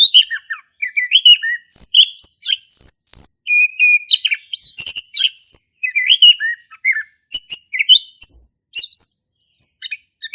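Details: Male orange-headed thrush in steady ngeplong song, played to draw a quiet thrush into singing: a long varied sequence of rapid, high, whistled and slurred phrases, repeated in close bursts with only short pauses.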